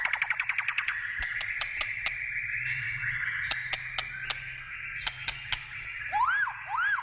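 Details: White-rumped shama singing wild in forest: a quick burst of clicking notes, a smeared whistled tone, then two loud arching whistles at the close.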